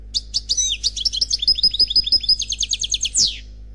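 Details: Unbroken Khalwi-style song of an unpaired European goldfinch from a CD: a quick chain of sharp, tinkling notes, about three per second, with slurred whistles and a rolling trill, closing in a descending buzzy sweep.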